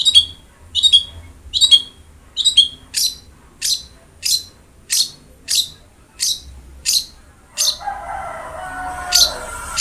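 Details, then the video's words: Long-tailed shrike (cendet) song, used as training audio to get a reluctant cendet to sing: sharp high chirps repeated about every 0.6 seconds, giving way near the end to a noisy passage with faint lower tonal lines. "BURUNG CENDET GACOR| Masteran Wajib Untuk Burung Cendet Malas bunyi"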